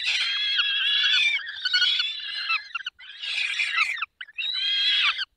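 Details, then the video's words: Barycz Valley, 20 May 2021, 10:22, peregrine falcons during feeding: four long, harsh, wavering screams, each lasting about a second, with clear gaps between them. "Karmienie 10:22 Dolina Baryczy 20 05 2021 sokół wędrowny"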